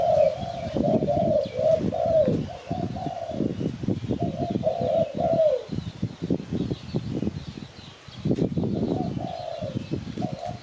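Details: Spotted dove call from Malaysia, used to lure birds for catching: low, hoarse cooing phrases repeated, mixed with loud rustling and clattering noise throughout.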